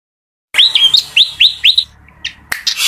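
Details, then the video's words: Fantail singing a short phrase of bright, upswept whistled notes, four to five sharp rising slurs in quick even succession, followed by a couple of faint chips and a sharp click. "suara burung kipasan sumpah merdu banget"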